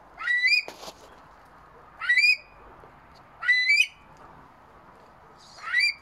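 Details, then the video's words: A Himalayan monal calls with loud, rising, harmonic whistled wails, four times at roughly one-and-a-half-second intervals, with one brief knock early on. "Himalayan monal calling"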